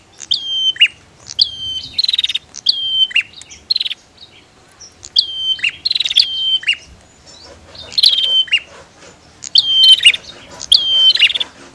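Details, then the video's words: Male and female Bar-winged prinias exchange calls in steady pairs of bursts: a piercing note falls into a level whistle, followed by a buzzy, rattling trill, repeated about every two seconds. "Suara Prenjak betina VS Prenjak Jantan"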